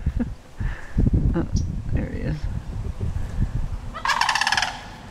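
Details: Sandhill cranes feeling threatened by a dog nearby warn it off; one gives a loud, harsh rolling rattle lasting under a second near the end, after rumbling wind and handling noise with a person speaking.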